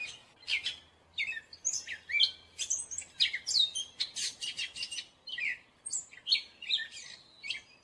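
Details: Gray catbird singing a dense, jumbled stream of squeaks, chips, whistles and scratchy notes in fast succession, loud and close, with a faint low hum early on.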